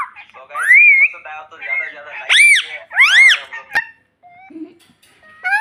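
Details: Talking pet parrot, mimicking the word "mummy": a few strident, arched syllables sliding up and down, with quieter Hindi voices and a sharp click in between.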